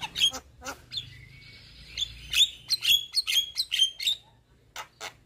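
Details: Javan myna lure chatter from a white-eyed, head-nodding bird to set off a silent myna; clicks and a sustained buzzy tone lead into a fast series of ringing upslurred whistles.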